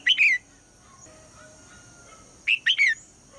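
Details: Female red-whiskered bulbul calling in the morning to get the male singing: two bright three-note whistled phrases, each bending down at the end, with a gap of about two seconds between them over a quiet hum.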